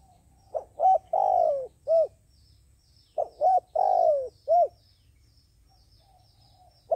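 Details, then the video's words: Luring call of a decoy dove for bird trapping: mellow cooing phrases of short hoots around a long downward-sliding coo, repeated twice with a pause, a third phrase beginning at the end. "Tiến cu mồi gáy chuẩn, gọi là đếnh"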